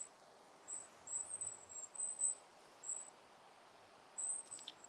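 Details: A family group of long-tailed tits in a dark wood during hot weather, directly overhead, giving very high, thin, hissing calls in short bursts every second or so, over a steady woodland hiss.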